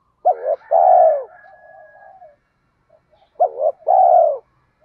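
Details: Spotted dove call meant to stimulate birds in training; male and female birds recorded. Two matching phrases about three seconds apart, each a quick rising double note then a long drawn coo, the first trailing into soft murmurs.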